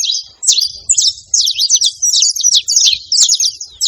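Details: Male and female saffron finch in nature: a dense, high-pitched twittering song of short, sharp chirps in quick bursts, with brief pauses and a soft low hum beneath.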